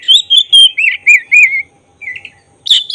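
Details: Black-breasted kacer, an oriental magpie-robin, giving provoking song for emotion and tail spreading: a run of six short whistled notes about two per second, falling in pitch, then a pause and a softer warble.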